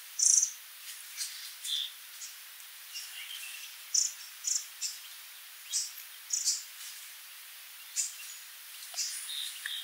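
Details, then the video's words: Sooty babbler (Stachyris herberti) with a loud high squeak at the start, then irregular thin chips and twittering notes every half second or so, against a soft constant hiss. "Tiếng chim Khướu đá mun, Sooty Babbler, Stachyris herberti [Bird sound]"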